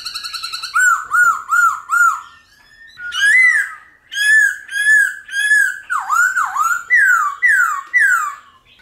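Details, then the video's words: Wild-forest-style laughingthrush song with varied voices, played to train captured wild birds: a quick stutter of notes, then loud rounded whistles in a steady series, later swooping down-slurred and rising phrases. "Khướu Hót giọng GIÀ RỪNG - GIỌNG HAY - NHIỀU GIỌNG kích khướu bổi. luyện khướu bổi hót căng lửa"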